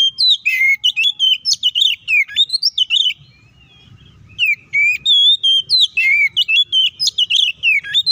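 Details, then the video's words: Oriental magpie-robin giving its fighting song, meant to provoke rival magpie-robins into singing: bursts of loud, varied whistles with quick rising and falling slurs, a two-second pause in the middle, then more rapid phrases. "KACER GACOR NGEPLONG TARUNG KONSLET❗PALING AMPUH BUAT PANCINGAN KACER AGAR EMOSI!"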